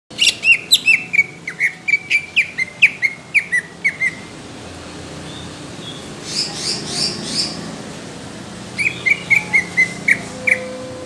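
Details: Greater green leafbird with song said to catch judges' eyes, rough and thick bursts: rapid runs of sharp whistled notes, each sweeping down, repeated about twice a second, then a brief buzzy high phrase and a final run of clipped whistles.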